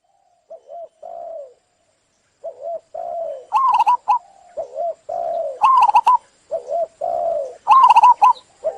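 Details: Zebra dove song: soft low coos that build into repeated phrases, each a short rolling trill with a higher vibrating middle part, in a quiet setting.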